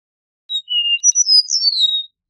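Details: Eastern meadowlark song of plaintive, slurred whistles: a brief high note, a steady level tone, then quick rising notes sliding into a long falling whistle, in clean silence.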